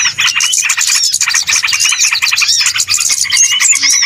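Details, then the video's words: Small birds chattering noisily for a bird-trapping lure: densely layered high chirps and wavering whistles, continuous throughout, easing slightly at the end. "SUARA PIKAT BURUNG RIBUT"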